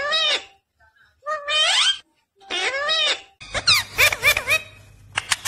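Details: A talking parrot gives three bursts of harmonic, speech-like sounds with sweeping, wavering pitch, each under a second long. A quick run of clipped, chattering syllables follows.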